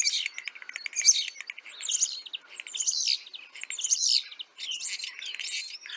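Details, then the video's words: Asian glossy starlings, locally called Galansiyang, feeding on ripe papaya at a home garden: dense bursts of high, metallic chattering notes with thin whistled tones, in irregular clusters about a second apart. "Asian Glossy Starling Savoring Ripe Papaya with Amazing Sounds / Galansiyang"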